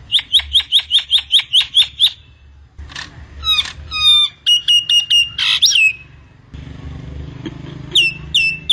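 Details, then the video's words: Common myna (jalak nias) song: about nine loud whistled notes repeated evenly, then mixed squeaks, sweeping slurs and clicking runs, with a low background hum and a final string of rising whistles. "Suara Kicaun Burung Jalak Nias Full Isian"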